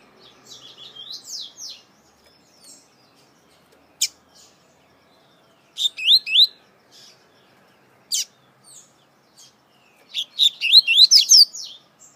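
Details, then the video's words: Variable seedeater from Brazil, a male praised as one of the country's best singers and recorded on many CDs: bursts of quick whistled, sweeping notes, swiftly rising and falling in dense phrases, with single sharp notes between and quiet pauses. "COLEIRO REI DAVI UM DOS MELHORES DO BRASIL, TEM MUITOS CD'S GRAVADO"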